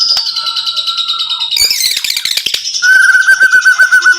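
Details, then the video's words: Rapid 'tembakan rapat' training song of a white-rumped shama (murai): an even repeated whistled trill, a sudden burst of harsh chattering, then another steady fast trill of identical notes. "TEMBAKAN RAPAT BURUNG MURAI"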